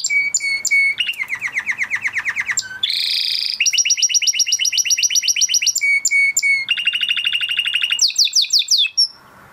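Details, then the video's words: Male crested Spanish Timbrado canary from 2020 breeding, kept in a flock, singing a training song: rapid repeated tours of bright metallic notes, switching every second or so between steady high trills, lower rolling series and sharp clicks. "Do you have a Canary with a weak singing voice? Canary Singing Video"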